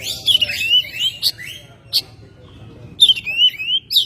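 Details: Oriental magpie-robin kept at home, singing in May: bright descending whistled phrases, a few sharp clicks, a pause, then another run of slurred whistles.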